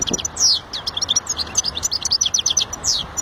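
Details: European goldfinch song, a continuous, rapid stream of high liquid twitters, tinkling notes and quick slurred whistles, loud and close throughout, with faint low background hum.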